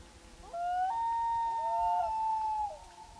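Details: Common loon on Gavia Lake, 2011: a long, clear wailing call that slides up in steps and holds steady for about two seconds before dropping away, with a quiet background.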